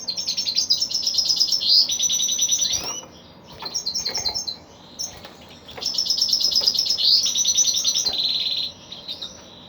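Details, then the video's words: Singing male goldfinch, locally called kalu putha: bright, rapid twitters and buzzy trilled phrases delivered in two long bursts separated by a short lull with a few isolated chirps. "Male goldfinch bird -kalu putha"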